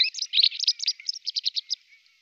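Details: White wagtail (Motacilla alba) giving a quick burst of high twittering chirps that slows into about eight evenly spaced separate notes, then fades. A faint thin whistle lingers beneath.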